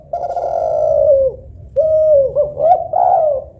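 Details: Spotted dove, a local tekukur or Kelantan derkuku, delivering a long, gently falling coo, then a shorter phrase of level and slightly rising mellow notes.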